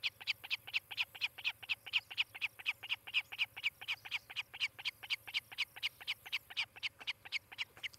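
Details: Osprey pair at their nest in Charlo, Montana, on a nest camera, 18 July 2018, late morning. A steady run of sharp, high chirps repeats about twice a second throughout, over a faint low hum.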